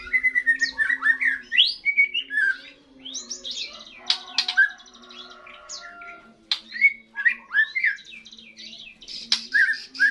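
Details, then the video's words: White-rumped shama juvenile's first song following its moult, dense medley of looping whistles, chirps and short rattles in rapid bursts, pausing briefly midway, over a low constant hum. ""Nyanyian" PERTAMA TROTOL MURAI setelah MABUNG"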